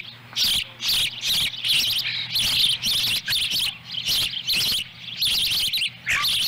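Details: At a Montana ranch nest on July 18, 2017, an adult female osprey brings a small fish and one young eats it whole while the other seeks a share. Rapid, nearly continuous shrill chirps form a busy, excited series.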